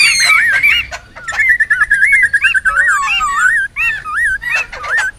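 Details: Noisy wild laughingthrushes, a sound used to lure and tutor birds: clear looping whistled phrases, rolling and wavering, repeated in short bursts separated by brief pauses, with scattered sharp clicks and fewer overlapping voices.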